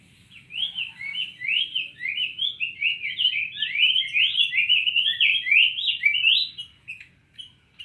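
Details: Cinnamon tanager singing an extended chattering warble of quick sliding notes, building in pace and then tailing off into a few scattered chips.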